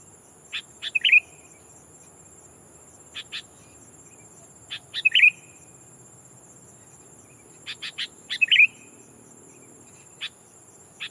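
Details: Decoy sooty-headed bulbul calling a rival to lure wild bulbuls: sharp clicks followed by short bright warbled phrases, repeated about three times, over a steady high insect buzz.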